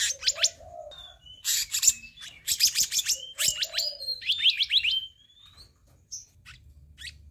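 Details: Black-naped monarch in a lure and training recording. Bursts of harsh, buzzy chattering notes come in rapid series. A few separate whistled slurs and a low hum run between the bursts.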